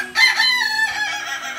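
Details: Kukuak Balenggek rooster, an ornamental crowing breed from Solok, West Sumatra, sun-drying after bathing, gives a short burst of rich, harmonic crowing that falls slightly and trails off within a second, with a faint steady hum underneath.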